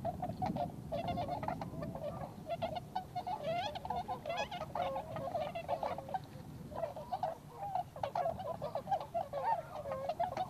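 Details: Flock of wild tundra swans with American-subspecies birds among them in Inzai, Chiba Prefecture, Japan; a dense, continuous mix of nasal honking calls from many birds, rising and falling in waves.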